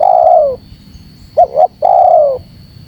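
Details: Spotted dove luring call aimed at wild doves. The tail of a long falling coo gives way to one full phrase of two brief notes and a sustained downward coo.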